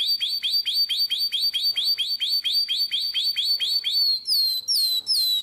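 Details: Nightingale-voiced canary song recorded in Drama in 2017, a loud series of bright, upward-flicking notes repeated about four times a second, switching to higher, drawn-out descending whistles at the end.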